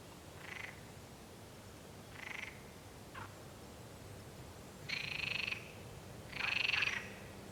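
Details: Mallard on a pond at San Antolín, Zamudio, recorded 16 May 2020. Five short, nasal, harshly buzzy calls are spaced unevenly over several seconds. The last two are longer and louder, over a steady background hiss.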